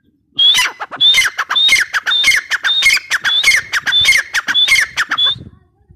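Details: Teetar or grey partridge in an unbroken run of about ten loud, raucous calls, each opening with a bright rising whistle over harsh broken notes, repeated steadily about every half second.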